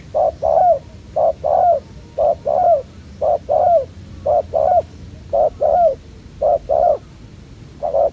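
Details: ['Fierce young spotted dove at a ground decoy trap, neck spots not yet complete: repeated pairs of a short coo followed by a longer falling coo, steady and resonant, with quiet background.']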